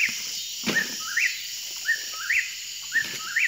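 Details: Eastern Whip-poor-will in September 2021 repeating its whistled three-part 'whip-poor-will' about once a second, the last note sweeping upward, over a steady insect hiss.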